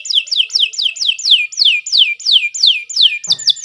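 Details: Canary song made of a steady series of loud, clear whistles, each sweeping sharply downward, repeated about every third of a second, with a brief rattle at the end.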